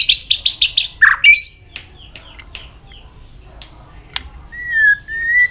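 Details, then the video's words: White-rumped shama training song, a row of harsh buzzy notes and a low squawk, then sparse clicks and a long, slightly wavering whistled note near the end. "luyện chòe hót nhiều giọng.kích chòe lửa hót nhanh căng"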